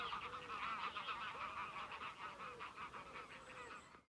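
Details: A flock of greylag geese moving across fields at Haigsfield near Birgham, beside the River Tweed. A dense, unbroken chorus of overlapping nasal honks and cackles, with lower curving notes beneath, continues steadily throughout before cutting off.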